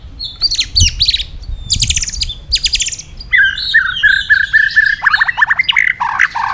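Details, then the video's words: White-rumped shama in competitive singing: bursts of fast, stacked high chattering notes, then a steady run of repeated mid-pitched whistles breaking into quick descending chips. "chòe lửa hót nhấp đuôi tốc độ. kích chòe lửa hót đấu ức chế. chòe lửa nhạy mỏ"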